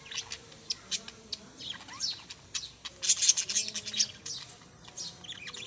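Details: Chirping parrots: scattered high squeaks early on, then a dense, loud run of harsh chirps in the middle, trailing off into lighter tweets.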